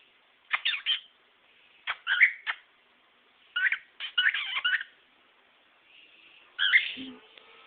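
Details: Pet male cockatiel showing off part of his repertoire: scattered bursts of chattering, warbled notes and short whistles, grouped in quick clusters with brief silences, ending in a drawn-out whistle.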